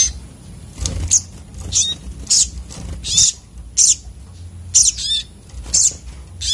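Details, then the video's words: Sunbird, known locally as sogok otong, singing agitatedly: sharp, high, buzzy bursts repeated about every half second to second, some with quick downward slurs, over a faint low hum. "burung sogok otong terapi ngamuk"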